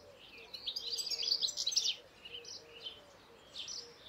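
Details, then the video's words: European goldfinch singing a quick, liquid twittering phrase of high chirps in the first two seconds, followed by shorter scattered notes and a final buzzy burst. "Tengelic | European goldfinch (Carduelis carduelis) singing"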